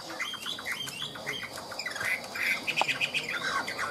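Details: Caged Chinese hwamei, ngũ trường song type sung high: jumbled chatter and buzzy notes giving way to a run of bright repeated whistles and quick trills.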